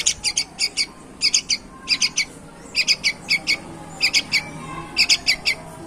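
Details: High-quality young bulbul, described as a tireless singer, delivering rapid clusters of three to four crisp, high chirps, with a cluster roughly every second and short pauses between.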